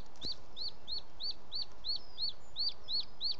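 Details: Shrill repeated whistles of a male booted eagle delivering prey to the nest late on 18 June 2017 in Els Ports Natural Park, about ten evenly spaced high, slurred notes roughly three per second.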